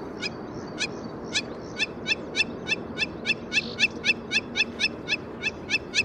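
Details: A Hamerkop in South Africa's Kruger area gives a rapid series of sharp, high nasal notes, about three or four per second, over a steady low background rumble.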